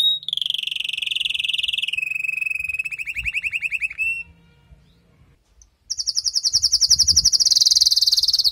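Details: Female canary calling after the moult to prime and stimulate the male: a steady buzzy trill, a lower rolling trill, then a quickening pulsed run, a brief hush, and a long very high rapid trill.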